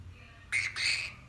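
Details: Musk lorikeet kept as a pet, one strident rasping call split into two quick harsh segments, over a faint background hum indoors.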